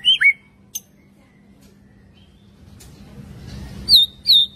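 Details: Young white-rumped shama singing in forest style as voice training: a few clear whistled notes, one rising and falling, then a long pause before two more loud down-slurred whistles near the end, with soft background hiss.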